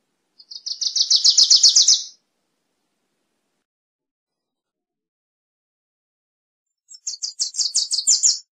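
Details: Cardellina pusilla song, heard twice: a dry, fast series of high chips swelling in loudness, about fifteen notes per burst, with quiet between.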